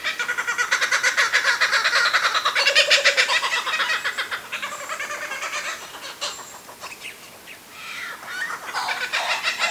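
Kookaburras giving loud, rapid, chattering calls in a rising and falling series that fades partway through, then picks up again near the end.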